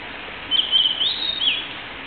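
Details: Blue-and-white flycatcher song: a sustained high whistled phrase, smoothly wavering and slightly rising, then a short lower-ending flourish, against steady background hiss.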